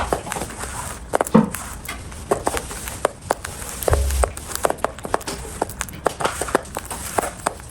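A cockatiel eating, heard as a steady run of dry, crisp clicks and crunches.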